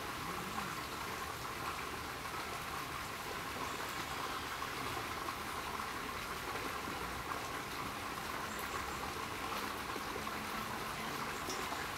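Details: Steady rushing water and broadband hiss with no distinct animal calls.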